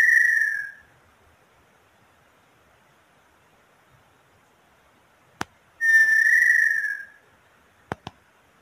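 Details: Small-billed tinamou song, possibly the female: two long, pure, mellow whistles about five seconds apart, each holding a steady mid pitch before sliding slightly down, with a few sharp clicks between.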